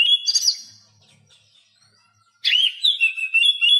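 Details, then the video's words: Captive Oriental magpie-robin tutor song for birds that will not sing: a brief burst of whistles, about two seconds of near silence, then a loud, varied warbled phrase. "Masteran Kacer Bisu"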